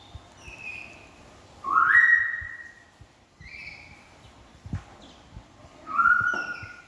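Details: A hungry cockatoo, filmed at Taman Safari Indonesia Prigen, gives four clear whistled calls, some rising sharply then levelling off, spaced one to two seconds apart, over faint low background thumps.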